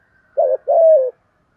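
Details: Spotted dove in the deep "giọng thổ" voice, giving a "thúc gù" coo used to lure wild doves into cooing: two low, hollow notes, a short one then a longer, slightly falling one, in near silence.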